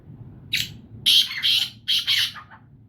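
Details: Black francolin (kala teetar) chick, six months old: a single harsh, buzzy squawk, then a quick series of four loud, rasping notes close together. The series ends in fainter trailing notes over a low background hum.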